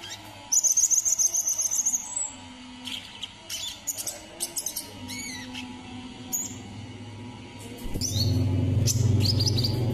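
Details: [['Brown-throated sunbird, Kalimantan, opening with a fast run of sharp, very high ticking notes, then scattered squeaky chirps; a rising low rumble fills the final seconds.']]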